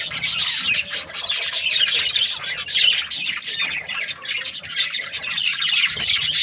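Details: Chirping budgerigars: shrill, scratchy twitters and squawks tumbling over one another in a loud, continuous chorus with small dips in volume.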